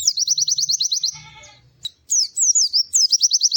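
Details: White-eye in lively, melodious song: fast runs of high, sharply repeated chirping notes, then a pause with a low, bleat-like harmonic sound and a faint hum, then more quick twittering phrases.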